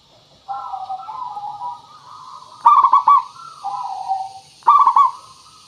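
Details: Local zebra dove, a strong singer with a clear voice, used as a lure recording to make other doves answer: soft low warbling coos, then a loud stuttering rolled phrase, repeated about every two seconds over steady high hiss.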